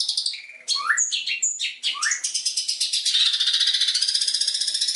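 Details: Long-tailed shrike training song: a few clear whistled notes and rising slurs, then a fast harsh rattling chatter that runs on steadily.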